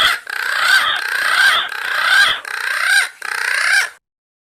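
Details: Green pigeons calling companions, a lure recording made directly from the birds: five rhythmic bursts of crowded warbling whistles, each about half a second, followed by silence.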